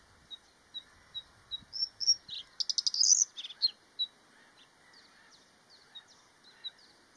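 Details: Male bluethroat in spring in a damp, marshy area of the Netherlands, singing to attract females: a series of thin, evenly spaced high notes building into a dense buzzy, rattling burst, then softer scattered notes.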